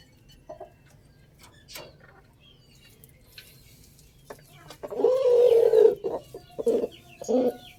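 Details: Rooster crowing loudly: after a quiet start with faint clicks, one loud, drawn-out harmonic crow lasting about a second, followed by two shorter, loud bursts.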